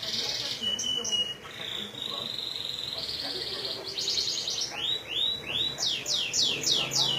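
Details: Song of a canary copying a Majalengka sunda whistling thrush: high trills and drawn-out notes give way to a run of quick, repeated upslurred whistles, with steady background noise.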